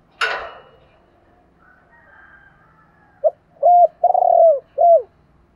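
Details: Spotted dove call for stimulating wild-caught birds: a sharp knock first, then a quiet stretch before a phrase of low coos, a short note, two rounded coos and a long fluttering coo, closing on a falling note.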